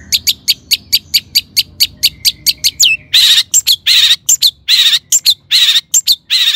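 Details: Long-tailed shrike in lively lure song meant to trigger singing in other shrikes. Sharp clipped notes come in quick succession, then the bird switches to loud, raspy, scolding chatter.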